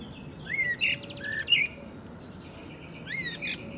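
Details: Eurasian blackbird of the nominate subspecies Turdus merula merula, recorded in April 2024 at Agia Triada, Greece; short high chirps, quick upward-sweeping notes and a brief rattling burst, with a steady low background hum.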